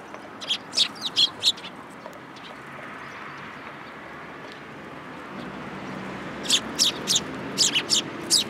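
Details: Juvenile sparrows on a person's hand at a Tenmangu shrine, filmed July 2022; a quick burst of repeated sharp chirps at the start, a quiet stretch, then another rapid series of bright cheeps at the end.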